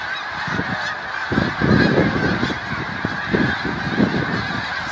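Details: A dense chorus of a large snow goose flock being chased off a field, overlapping nasal honks and yelps, rapid and continuous, forming a constant roaring clamor.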